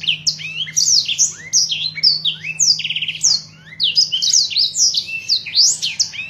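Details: Blackthroat song meant for teaching other cage birds, full of rapid slurred whistles rising and falling, one buzzy rattling trill, a short pause, then more quick varied notes over a low hum.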